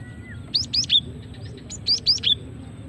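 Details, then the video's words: Female cinereous tit call, used to lure and prompt singing: two quick bursts of three sharp, high chirps, each chirp a brief upward-then-downward sweep, with a faint hum beneath. "Suara asli gelatik betina untuk pikat dan pancingan"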